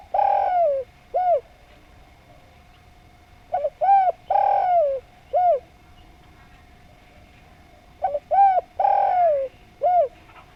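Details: Spotted dove singing actively and melodiously, with three cooing phrases spaced a few seconds apart. Each phrase is a doubled lead note, a long downward-sliding coo and a short closing coo.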